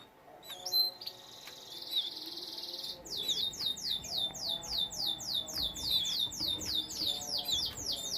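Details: A caged canary opens with a few chirps and a long buzzy note, then breaks into a rapid rolling trill of repeated downward-slurred notes, about seven per second, continuing to the end.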